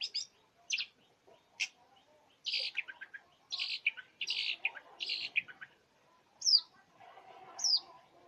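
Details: Long-tailed shrike singing a varied song packed with imitations of other birds: sharp high notes, buzzy chattering clusters, and high down-slurred whistles, given in irregular bursts with short gaps.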